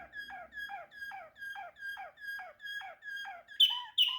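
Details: Waterslager canary giving a repeated, downward-sliding whistled phrase about twice per second, ending with two louder, sharp, ringing notes.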